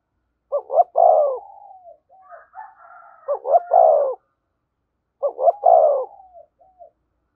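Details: Near a decoy, a spotted dove repeats its thúc gù phrase three times, each a paired short hiccup note leading into a rich descending coo, trailing into soft gentle murmurs.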